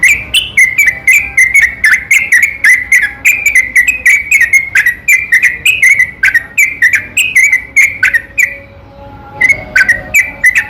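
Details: Yellow-vented bulbul night song played as a lure to make silent bulbuls answer: a fast, uninterrupted stream of bubbly, chattering notes, pausing briefly near the end before resuming with a few phrases.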